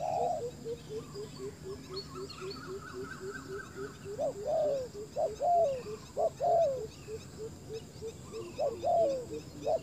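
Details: A decoy spotted dove is used to lure wild doves. Soft low coos repeat about once a second in a steady series, broken by louder, higher, arching phrases from about four seconds on. Faint chirps from other birds are heard behind.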